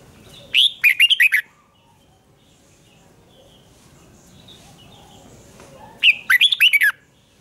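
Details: Duel-style song of a red-whiskered bulbul, sung to train voice and spark competitive singing: two loud, clipped phrases of quick jumbled whistles about five seconds apart, with faint soft chirps from other birds between.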